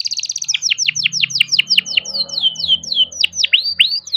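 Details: Young canary from a bird farm in rolling song, used as a lure for canaries that rarely sing: a continuous stream of rapid, sharply falling whistled notes with varied slurs, with a faint low hum beneath.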